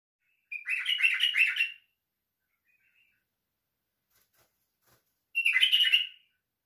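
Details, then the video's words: White-eared bulbul singing two short, bubbly warbled phrases about four seconds apart, each roughly a second long with rapid chattering notes, in an otherwise silent setting. "تالق البلبل السيحاني"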